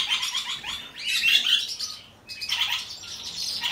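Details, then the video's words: A silver-colour pair of diamond firetails gives a jumble of high, thin chirps and squeaky notes in overlapping bursts, with a brief pause midway and faint room noise beneath. "ダイヤモンドフィンチ シルバー ペア"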